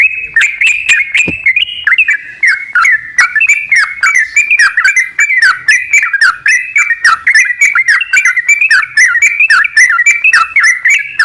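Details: Sooty-headed bulbul song used as a lure to prompt a reluctant bird to sing: a long run of short, bubbly, mellow whistled notes that jump up and down in quick phrases, with sharp clicks scattered throughout.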